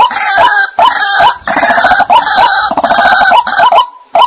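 White-breasted waterhen giving loud, harsh, repeated croaking notes in quick bursts, each rising and falling, several per second, with a slightly nasal, clucking quality.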